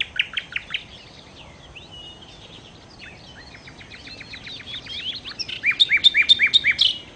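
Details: Nightingale (sikatan londo) song opens with a few quick sharp notes and moves into softer varied twittering. It ends in a loud, steady run of repeated high notes, about four per second.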